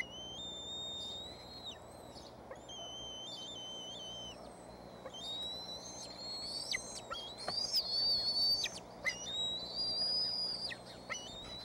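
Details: Wild bald eagle young on the Decorah nest in early evening, 06-03-2015, begging as the mother arrives with a stick instead of fish: drawn-out high whistles with sudden drops, building into louder squealing chitters near the end, with low background rumble.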